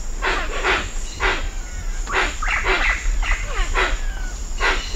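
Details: At Cocha Cashu in Manu, hoatzins give rough, wheezy bursts spaced irregularly, some with short descending strokes, over a constant high-pitched cicada drone, other birds and low background rumble.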